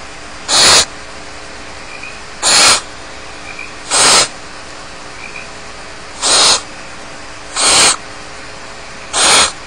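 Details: Barn owl chicks alone in the nest at Starr Ranch give harsh, breathy hissing screeches, each about a quarter second long. Six bursts come at irregular intervals of roughly one to two seconds over steady low background hiss.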